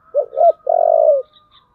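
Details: Spotted dove in the 'giọng thổ' style, cooing to incite a fight: a pair of short hooted notes and then one long, buzzy, slightly descending coo, with a faint steady thin tone behind it.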